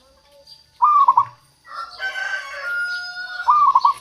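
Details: Local zebra dove cooing as a lure for wild doves, with short rapid rolling coo phrases at the start and end. A drawn-out, rooster-like crow fills the middle.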